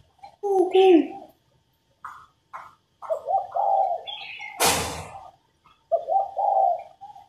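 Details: Female spotted dove calling to stimulate males: clipped coos and a couple of longer swelling notes, interrupted midway by a sharp loud knock, with a few brief higher chirps from other birds.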